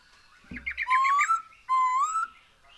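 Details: Black-throated laughingthrush, a lively singer used as a lure: two long, smooth, slowly rising whistles over faint background chatter and a soft thump.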